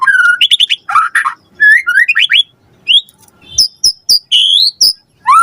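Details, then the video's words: Lure song of a murai batu, or white-rumped shama, meant to prompt a reply: warbled rising slurs and rough bursts, then a string of sharp high whistled notes. "Pancingan Murai Batu Gacor Cepat RESPON Langsung NYAUT Jadikan Suara Burung Murai Gacor Full Isian"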